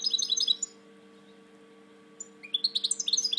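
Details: Caged European goldfinch with a slightly drooping wing, a proven breeder, gives a quick twittering phrase, stops for over a second, then a loud run of high, evenly spaced chirping notes.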